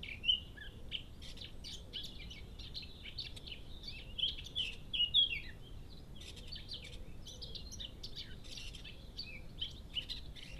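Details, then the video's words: A Eurasian blackcap sings quick, scratchy warbling phrases in bursts, loudest midway, over a steady low rumble. Recorded at 6:52 am on 21 March 2015 in a Cambridge, UK garden hedgehog area while a cat stole food. "Blackcap sings"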